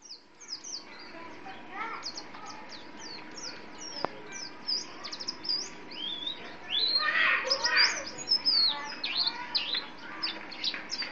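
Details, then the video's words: Champion contest white-eye from East Java, a community-kept songbird, singing rapid high, thin chirps and sharp downslurred whistles in dense, irregular bursts of about two per second, over a steady low hum and faint background voices. "burung pleci jawara se jaktim"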